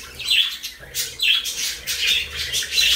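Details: Parakeets eating lettuce give short, high, scratchy chirps repeating roughly every half second, over crunchy, crackling noise close by.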